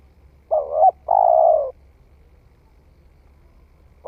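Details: Spotted dove that has just begun calling, tried out in the forest: a low, hollow two-part coo, a short wavering note followed by a longer steady one, then silence before the next phrase starts.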